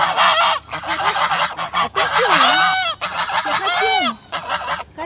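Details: Geese giving loud, barking-like honks: bursts of harsh, nasal calls with rising and falling arched tones, several overlapping in rapid series with brief gaps, some hoarse and buzzy, others clearer and more tonal.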